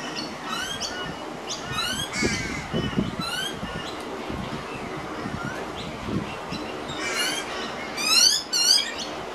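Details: Pied butcherbird juvenile, one of a pair, fed minced beef by an adult on a veranda, dated 251215. Scattered short, high, squeaky rising notes, densest near the end, against low rumbling and shuffling background noise.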